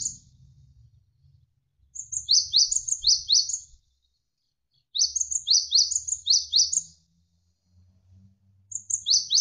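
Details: Javan sparrow voice looped for tutoring competition birds: clusters of five or six crisp, falling high chips with fine ticks above, each cluster about two seconds long and separated by quiet gaps with a faint low water sound.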